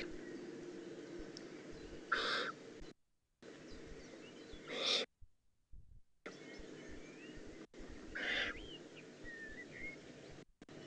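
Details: Eurasian eagle-owl juvenile in the Eifel, recorded 18 June 2016: three hoarse hissing bursts spread over eleven seconds, broken by several abrupt silent dropouts in the recording.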